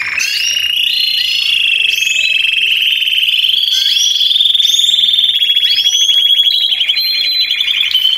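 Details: Chorus of Belgian canaries singing together to encourage other canaries, especially youngsters or moulted adults, to sing; sustained high trills, some rapid and rattling, others smooth, layered with upslurred whistled notes.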